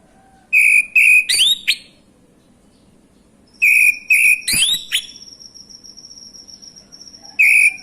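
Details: Male orange-headed thrush singing as a lure to trigger other thrushes to sing: two bursts of clear whistled phrases with sharp rising slurs, separated by a pause, and a steady high thin tone running through the background.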